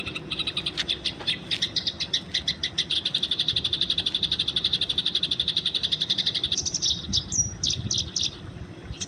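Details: Wild Eurasian tree sparrow, tagged as fighting, recorded as a training model: a dense, fast run of short chirps about four per second, continuing for most of the clip and turning more broken near the end, over a steady low rumble.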